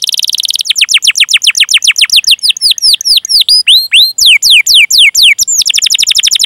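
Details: Canary singing long, used to prompt young or silent canaries to sing: a fast buzzy rattle opens, then sweeping downslurred whistled notes, about four a second, and rapid rolled trills near the end.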